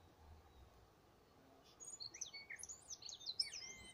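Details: At Waikouaiti a tui sings a rapid string of high, twisting whistled notes that begins after almost two seconds of quiet and grows louder toward the end, over light background hiss.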